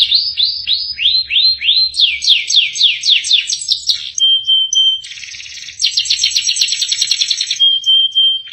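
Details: A canary gives a loud, full song packed with varied phrases: rapid rising whistled sweeps repeated in series, buzzy trills, and steady held tones in between, close and clear.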